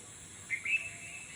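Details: Unidentified bird calling around 3 to 3:30 in the morning on a quiet, empty road; a short pair of high chirps rising slightly, over a steady hiss with faint insect noise.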